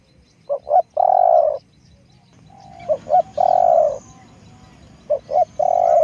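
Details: Spotted dove kept as a decoy repeats its call three times in quick succession: paired short hoots, then a long throaty rolling coo each time, over a faint hiss.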